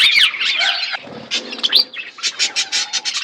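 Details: Budgies eating in a flock: whistled rising squawks open, then scattered chirps and a run of short rhythmic clicks near the end.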